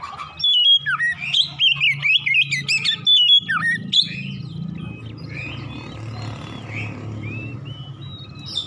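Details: Oriental magpie-robin morning song used as a singing stimulus: about four seconds of fast, varied whistling with swooping notes, then a low humming background with only faint distant whistles.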